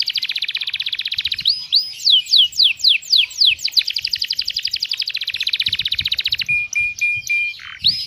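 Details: Masteran canary song, the luxurious cengkok mewah style with tembakan pedes: a dense rapid trill broken by a series of loud downward-swooping whistles, then another long rattle ending in a flat held note and a short dip.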